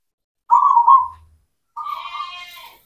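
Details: Local zebra dove, a cemani bird in full song, used as a lure to set silent doves singing: two rolling, trilled coo phrases near one pitch, the second softer with faint higher overtones.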